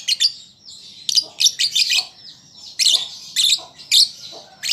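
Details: Young lovebird learning to sing: sharp, high squeaky chirps in short bursts and clusters, separated by brief pauses, with faint chatter in between and a quiet low background hum.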